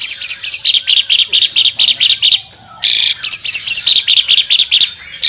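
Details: An albino Asian pied starling, singing actively while opening its wings, gives a loud, scratchy chatter of high, harsh notes, about two bursts a second, with one brief pause midway.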